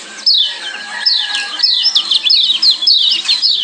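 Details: A Lombok yellow white-eye (kecial kuning), used as a master/lure song for caged birds, pours out a fast, high twittering song of sweeping chirps, rising and falling without pause, over a faint steady humming tone.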